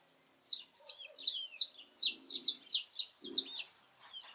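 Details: Saffron finch singing free in natural habitat: a rapid, sparkling sequence of high falling notes, about three per second, tailing off into softer calls with faint low background sound.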